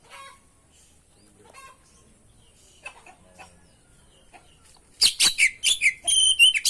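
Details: Oriental magpie-robin (kacer) in full 'gacor' song, used as a tutor and lure: after five quiet seconds with faint scattered notes, a loud burst of sharp, high, rapidly repeated whistled and chattering notes closes the recording.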